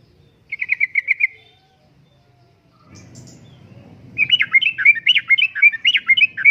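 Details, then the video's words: Yellow-vented bulbul lure and tutor song for caged birds, 'uplik-uplik' style: a quick stuttering series of even chirps, faint low rumble, then a fast rollicking stream of bubbly whistles. "Kicauan Suara Burung Trucukan Gacor Uplik Uplik,Pancingan Trucukan Gacor,Masteran Trucukan"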